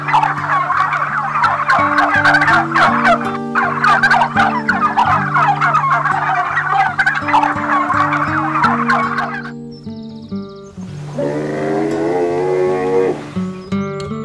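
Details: Guineafowl give rapid, harsh, cackling chatter over steady background music.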